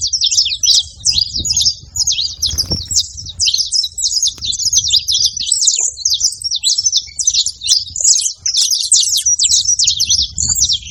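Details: Saffron finch singing in nature, a fast, continuous string of sharp, high chirps and short slurred notes that runs without pause for the whole stretch, over a faint low rumble in the background.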